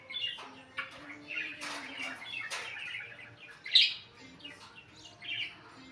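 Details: Chattering Indian ringneck parakeet with short shrill chirps and scratchy notes, one sharp squeak near the middle, against a faint low steady hum.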